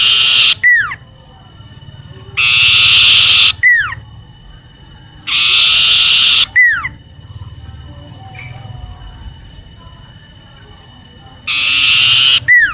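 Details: Common iora in a home garden, giving a repeated pattern: a falling note, a pause, then a sustained buzzy whistle of about a second, cycling several times amid quiet background.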